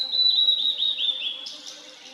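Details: A wild Blue-and-white Flycatcher sings a single phrase: a sustained high whistle that breaks into quick, slurred, descending notes and ends in a harsh, buzzy flourish. A soft, steady, low hum sits underneath.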